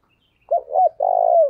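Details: Spotted dove used as a lure bird for trapping, giving an urgent 'thúc gù' coo in the 'thổ đồng' voice style: a short note, a wavering hooted pair, then a long, even, slightly falling coo.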